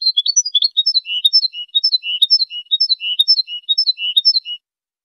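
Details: Training recording of a European goldfinch singing: bright, fast twitter of chirps and trills with faint very high ticks, phrases repeating roughly once a second before stopping abruptly near the end.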